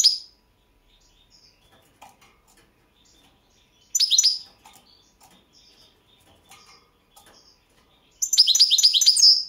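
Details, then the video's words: Entry recording from the 2022 goldfinch song world championship, Balkan subspecies carduelis balcanica: short bursts of high twittering separated by quiet gaps with faint ticks, closing in a dense rapid trill of liquid notes. "Pesma štiglića 008/22 World Championship in Goldfinch Song"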